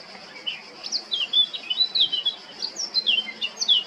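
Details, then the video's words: Male blackcap, Krk island, Croatia, 20 July 2022: a scratchy, irregular warble of high notes with a few sharper, louder whistled phrases toward the end, over a faint steady hum. "Crnokapa grmuša, mužjak (Sylvia atricapilla)(Birds of Croatia- Blackcap, male)"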